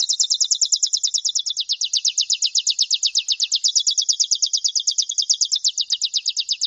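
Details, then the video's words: Saffron finch (Sicalis flaveola) of the "metralha" song type giving a fast, unbroken rattling trill of high sharp notes, about eight per second, shifting pitch slightly partway through; nothing else heard. "CANTO DO CANÁRIO DA TERRA METRALA - PARA ENCARTE"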